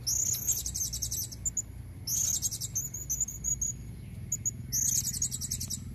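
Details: Female blue-crowned hanging parrot calling to draw in males: three shrill, buzzy high-pitched bursts about every two to three seconds, with scattered single squeaks between and a low background rumble.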